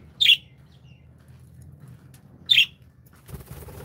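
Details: Happy pet budgies indoors give two short sharp chirps about two seconds apart, then faint rustling and shuffling sounds over a quiet background hum.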